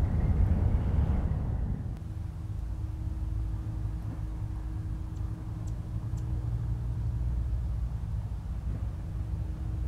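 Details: Steady low rumble of road traffic and passing vehicles fills the recording, with a few faint high ticks and no animal voice.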